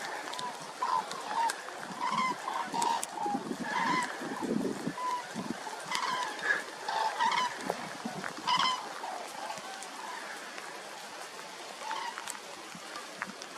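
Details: Several common cranes (Grus grus) in the rain in the Sierra de Gata, Extremadura, Spain, feeding and flying to their roosts, give loud, rolling trumpeted calls that overlap in bursts every second or two, over a steady hiss of rain.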